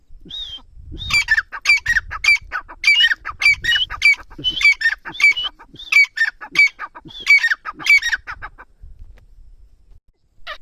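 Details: Teetar or grey francolin in Dera Ghazi Khan, Pakistan, delivering a long series of loud, scratchy, paired notes that repeat rhythmically for about eight seconds, over a low background rumble, then fall quiet.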